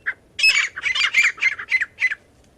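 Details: Partridge call used as a lure for catching partridges; a short burst of about eight harsh, squawking notes in quick succession, each rasping and harmonic, delivered over two seconds against a quiet background.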